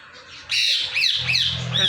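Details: Indian ringneck parakeet kept as a pet, shown talking and saying "Mittu": loud, raspy, high squawks following a quiet start, with a low steady hum underneath.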